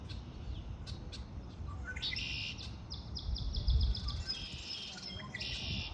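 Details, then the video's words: Spring birds sing a quick series of high ticking notes that runs into longer buzzy trills, with some scattered chirps and a low rumbling background. "آوای آرامش بخش پرندگان در بهار"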